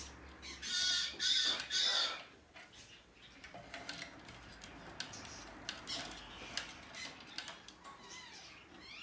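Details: A domestically bred, hand-tame blue-eyed cockatoo, recorded 20 March 2020, gives two loud, harsh, grating screeches in quick succession, then a run of quieter squawks and clicks over faint room noise.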